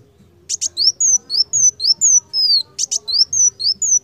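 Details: Vigorous training song of a Van Hasselt's sunbird (kolibri wulung): double high ticks followed by quick, shrill, downslurred whistles at a brisk pace, about four notes a second, over a faint steady low hum.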